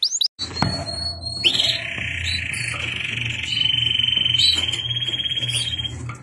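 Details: Song from multiple male canaries: a sustained, high rolling trill held steady for several seconds, with brief whistled notes before it and a low hum underneath.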